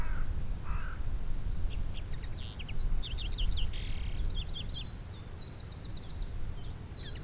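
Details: Common Linnet recorded in the Alblasserwaard, Netherlands, on 18 December 2021: rapid, varied twittering notes run continuously from about the second second onward, set over a strong low rumble of wind; two short lower calls sound near the start.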